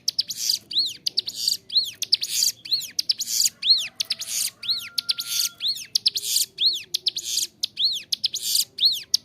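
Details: Clear, vigorous Bar-winged Prinia song for teaching captive birds: a long regular series of arched whistles, each tied to a dry buzzy rasp, repeated about once per second without pause.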